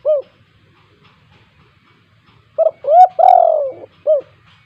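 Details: A 'kuk 2' spotted dove, a lively caller used to encourage reluctant doves. A lone short coo is followed by a pause, then a full phrase of clipped note, rising coo, long descending coo and a short final coo.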